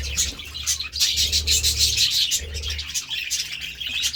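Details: Budgerigars feeding on seeds and vegetables, giving a busy flow of high, scratchy chirps and warbled notes in quick irregular bursts over a steady low hum.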